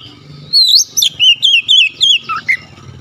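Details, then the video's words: Oriental magpie-robin singing sharp 'tembakan' shots with an open beak: a quick burst of eight loud, looping, whistled notes, high and ringing, ending in two lower chirps, over a low steady hum. "KICAUAN KACER BUKA PARUH LEBAR TEMBAKAN PEDAS"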